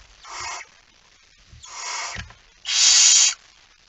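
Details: Barn owl recorded at 23:55 on 17 September 2019 as the male delivers a mouse: three rasping hisses, the first two softer and hoarse, the third loud and harsh, with a brief thump between.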